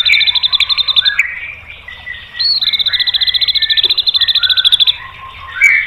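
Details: White-rumped shama song meant to set other birds singing: varied slurred whistles under a long, fast, high, evenly pulsed trill, with rising whistles at the end.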